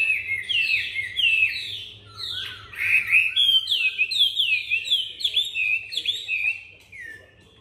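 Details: Caged Chinese hwamei, newly arrived, singing with a supple voice while turning its rump: loud, rich whistled phrases with repeated downward slurs, fading toward the end over a quiet background.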